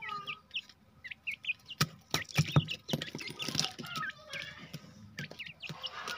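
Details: Grey francolin, a jungle teetar being set free, giving short rising hooked chirps in quick overlapping series, with sharp clicks and knocks throughout and a low rumble underneath.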